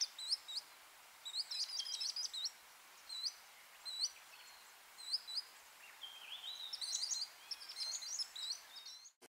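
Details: Varied sittellas (Daphoenositta chrysoptera) at a nest in Capertee Valley, Australia, from eggs to fledglings: thin, high, quick chip notes in clustered bursts, several birds calling together, over faint steady background hiss.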